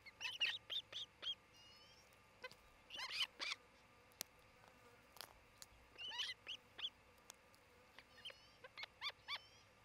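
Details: Osprey pair at a nest near Charlo, Montana, filmed by a nest camera late on the morning of 27 June 2018: repeated bursts of high, slurred whistled chirps in groups of three to five, separated by short quiet spells, over faint hiss.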